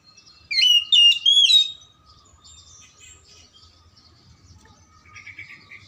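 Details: Oriental magpie-robin song to stir lazy or silent magpie-robins: three loud, rapid whistled phrases with sharp upward and downward slurs, followed by soft, faint warbling in the background.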